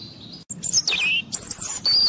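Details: Sweet, high-pitched warbling from a European robin, with sliding whistled notes and a thin sustained trill, heard close and clear.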